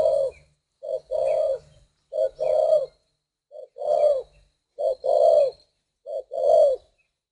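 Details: Captive spotted dove from northern Vietnam, kept for breeding, cooing clearly: six low phrases, each a short note followed by a longer rolling coo, repeated roughly every 1.3 seconds in a steady rhythm.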